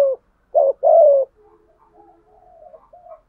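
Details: Spotted dove kept as a caged lure for wild doves gives a brief coo and a two-part phrase with a long falling coo, followed by faint soft murmuring notes.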